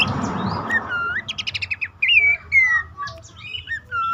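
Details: Lure call of Abbott's babbler to get reluctant caged birds singing. After a rustling start, a brief ticking trill gives way to several clear falling whistles and a few soft chirps.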